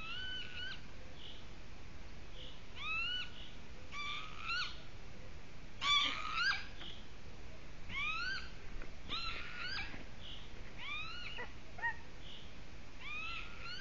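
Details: Golden eagle at its nest in Latvia, bringing another twig as nest material; a series of clear, rising, slightly harsh yelping notes with strong overtones, given in irregular bursts, some overlapping, over steady background hiss.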